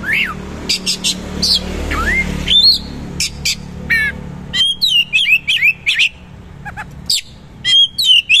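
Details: Oriental magpie-robin singing its rough material with a rolling, shooting delivery and rich fill. Upslurred whistles and sharp clicks lead into rapid, repeated chattering phrases. A low background hum runs throughout.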